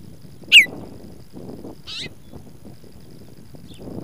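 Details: A Baltimore oriole in the Nebraska Panhandle, 11 May 2021, gives a loud, clear whistled note slurring downward, then a softer burbled phrase and a faint high note, over a low rumble of wind.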